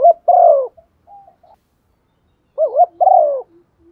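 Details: Spotted dove used as a decoy bird, cooing in the standard 'thúc gù' style meant to provoke other doves to call: two low, hoarse coo phrases about 2.5 seconds apart, each with a quick rising-falling note then a longer drawn-out falling coo.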